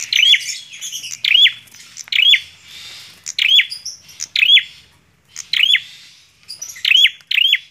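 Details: Bar-winged prinia singing vigorously: bursts of sharp, high, down-slurred chips in tight clusters, repeated roughly once a second with short silent gaps between bursts. Quiet background.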